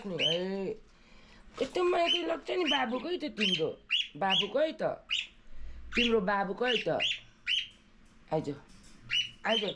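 A cockatiel gives a run of bright, squawky chirps and rising whistles, with voice-like chatter mixed in.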